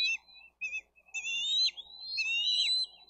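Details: Bald eagle eaglets in a Dade County nest, 22 May 2023, squabbling over a fish meal; short thin peeps build into longer high wavering screams with falling ends, faint background noise.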